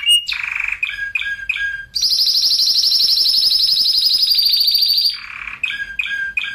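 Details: Training and stimulation song of a Spanish Timbrado canary with tight rolls: short clipped notes frame a long, high, rapidly pulsing roll held steadily for about three seconds.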